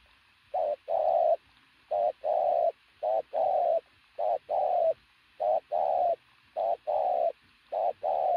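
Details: Decoy pigeon with an athletic build, cooing loudly. Each phrase couples a brief note with a sustained, steady coo, and the pairs repeat at a slightly uneven pace over several seconds.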